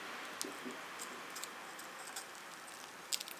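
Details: A pet Java sparrow chewing seeds from a 40-seed mix, picking out its favourites: soft, crisp "saku" and "puchi" clicks and crackles every half second or so over a steady quiet hiss, with a brighter cluster near the end.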